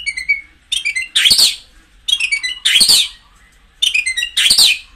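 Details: White-rumped shama singing to rouse caged birds for fighting: three matching phrases, each a run of clear high whistled notes followed by a loud grating burst, spaced roughly every one and a half seconds.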